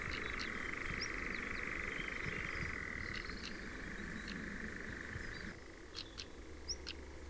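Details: Nightjar churring in Ringwood Forest near Verwood, Dorset: a steady, dry reeling trill runs for about five seconds, then fades. Brief sharp chirps and clicks are scattered throughout, over a low rumbling background.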